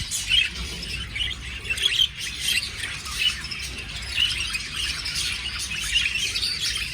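Budgerigars chatter in a steady stream of quick, high chirps and squeaky warbles.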